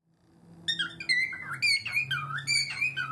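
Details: Pet cockatiel indoors calling in an odd, unexplained rhythm it starts whenever it sees its owner's feet, with two birds calling. Bright whistled notes rise and fall in short phrases, repeated roughly every half second, set against a low steady indoor hum.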